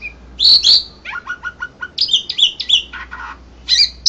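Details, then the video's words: Asian pied starling, first-place singer at an Indonesian contest in April 2014: two loud squeals, then a string of short clipped notes and scratchy chatters, ending with more shrill squeaks; low hum underneath. "JUARA 1 LOMBA KICAU JALAK SUREN INDONESIA"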